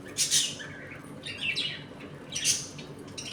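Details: Budgerigars in a home colony during eating and play; harsh, high squawks in short bursts, a pair at the start and another later, with quieter chatter between.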